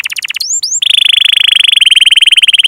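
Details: Lure song of a canary for training young birds and those that have stopped singing: a few quick upslurred whistles followed by a very fast, even, rattling trill.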